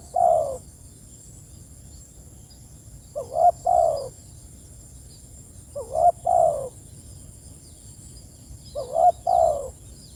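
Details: Spotted dove calling its companions: a cut-off coo, then three soft double coos, a short note and a longer falling one, spaced about three seconds apart.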